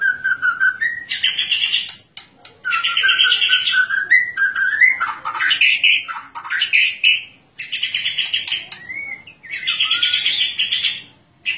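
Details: White-rumped shama singing in full, open 'ngeplong' style while set out in the morning dew, seeking a rival; long varied whistled phrases, rising and falling, in bursts separated by brief pauses.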